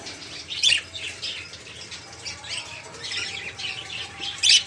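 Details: Noisy crowd of caged budgerigars used as a lure to get silent songbirds singing: dense high scratchy chattering and twittering, with louder bursts near the start and end.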